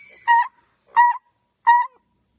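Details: Francolin giving three short, clear, whistled notes, each slightly rising and evenly spaced about seven tenths of a second apart, against silence.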